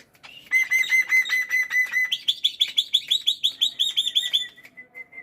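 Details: Pet black-winged myna singing vigorously in the morning: a run of clear whistled notes on one pitch, then a fast series of bright, rising, buzzy notes repeated about three times a second, ending with softer whistles.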